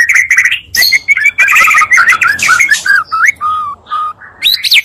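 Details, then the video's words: Two Oriental magpie-robins' songs combined to stir up other magpie-robins; strong whistled notes, buzzy bursts and scratchy chips in quick succession, ending with clear falling whistles and a sharp rising note. "pancingan murai 2 kali lebih menaikkan emosi muarai"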